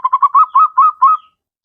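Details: Zebra dove calling out a rival: a clear series of about seven short, evenly pitched staccato coos that speed up slightly and end in a held tone, followed by a faint high chirp.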